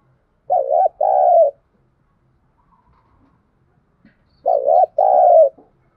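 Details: Lure call of a spotted dove meant to draw in wild doves: two-part cooing phrases, a wavering coo followed by a drawn-out falling one, given twice with a quiet gap.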